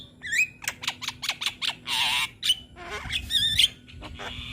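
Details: A young, vocally active Javan myna, in a tutor recording for other mynas to copy, gives a rapid, varied string of harsh squawks, clicks and rising whistles, with a long wheezy rasp in the middle.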